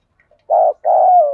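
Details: Spotted dove kept as a decoy, cooing vigorously to provoke wild doves. Two low, hoarse coos: a short one, then a longer one that slides slightly down at the end. The background is silent.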